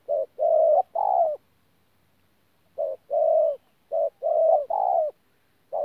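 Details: Spotted dove, a wild-caught bird at Tu Mơ Rông, 14 January 2019, giving 'pha gù' coos: a burst of short-long low notes, a pause of nearly one and a half seconds, then further repeated paired coos.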